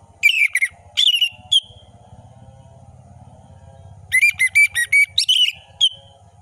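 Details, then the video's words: Orange-headed thrush singing full-variation ngeplong song: clusters of sharp, rapid whistled and chattering notes in two bouts, over a low buzzing rattle and a steady faint hum. "Anis merah gacor ngeplong full variasi"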